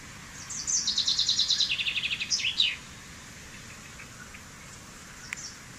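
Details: Fringilla coelebs, the common chaffinch, singing one descending phrase of quick repeated chips that speeds into a trill and ends in a sharp terminal flourish; afterwards near-silence with one faint distant chip.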